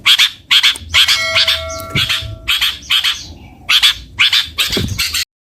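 Long-tailed shrike giving harsh, scratchy chattering bursts about twice a second, with a few brief clear whistled notes mixed in.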